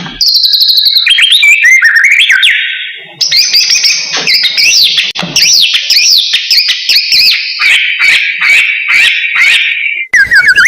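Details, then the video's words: White-rumped shama of the murai blorok variety, singing persistently as a lure for training young birds: a loud, varied song of sliding whistles and rapid buzzy trills, then a run of sharp, evenly spaced chips, bright and high throughout. "Murai Blorok Gacor Bongkar isian Pancingan Burung Murai Batu Bahan"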